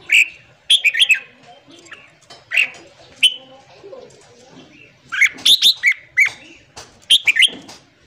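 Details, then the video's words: Red-whiskered bulbul singing in the morning, used to train and excite newly caught birds: short liquid, whistled warbling phrases repeated every second or so, with a livelier run of notes near the end. "luyện giọng chào mào hót sáng kích lửa cho chào mào bổi"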